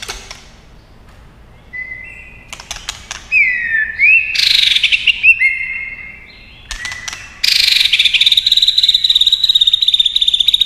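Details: Tail-flicking white-rumped shama singing a fighting song: clicks, a descending slurred whistle, a harsh buzzy burst, then a long rapid trill.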